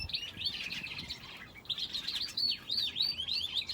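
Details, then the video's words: Finches sharing an aviary with a canary: a fast, continuous twittering of high, bright chirps and trills with sweeping up-and-down notes, dense throughout with only a brief dip near the middle. "Aviary with finches and canary"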